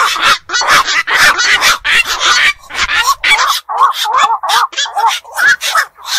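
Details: Black-crowned night heron, a night-active bird of ponds, fish enclosures and beels, giving rapid harsh squawks in close succession, broad rasping bursts ending in shorter bent tonal notes, with several callers overlapping.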